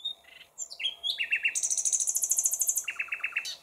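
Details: A nightingale delivers a loud, rapid phrase: a few whistled notes, a short stuttered trill, then a long high rattle that steps upward, ending in lower repeated chips.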